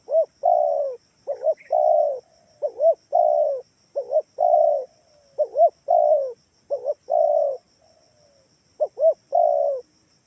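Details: Spotted dove lure call meant to make other doves answer, Kalimantan style: a three-part phrase of two quick arched coos and a drawn-out flat coo, repeated about nine times in steady succession, faint high whine throughout.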